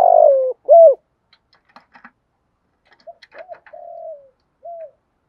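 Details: Spotted dove used as a decoy for wild doves: a loud falling coo and an arched note, then softer distant coos with faint clicks between.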